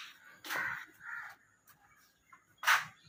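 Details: A baby common myna that fell from its nest gives three harsh, raspy squawks over about three seconds, each a short noisy burst, in an otherwise quiet room.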